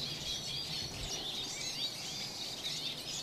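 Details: Eurasian siskins, winter visitors, calling as a flock drops down one after another to bathe; thin high twittering notes and short wavering slurs overlap steadily above a low background rumble.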